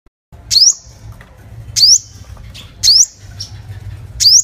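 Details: A five-coloured sunbird lure call: four high, thin, sharply sweeping notes about every second, each a quick bright zip, over faint background hiss.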